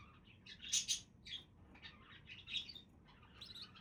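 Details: Budgies chattering in lively, scratchy, high-pitched bursts of squeaky notes, loud clusters separated by brief pauses, with a faint low hum underneath.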